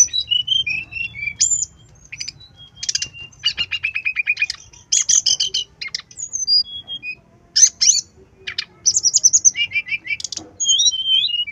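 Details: Brown-chested jungle flycatcher song used to coax birds into singing: a long varied medley of thin whistles, dry rattling bursts, a buzzy steady trill, sharp high notes and rapid chattering phrases with brief pauses.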